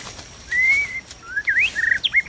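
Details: A white-rumped shama in the wild, heard during trapping. It gives a long, clear, slightly rising whistle, then shorter notes that twist up and down, all loud and close.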